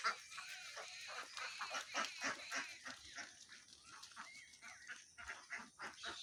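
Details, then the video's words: A crowd of ducks giving rapid, nasal, harsh calls, about three or four a second. The calls overlap into a busy, uneven chatter with no pause. "too much ducks ,real sound of the duck"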